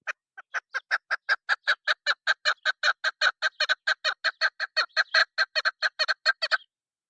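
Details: Female chukar partridge, a sound used in hunting: a rapid run of short, harsh, chuckling notes, roughly four to five per second, steady and even, lasting about six and a half seconds before stopping.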